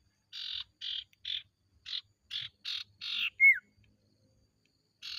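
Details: Ashy tailorbird giving evenly spaced raspy buzzing notes, about two per second, capped by a brief sharply falling whistle, in a quiet setting; used as a lure to prompt other tailorbirds to sing.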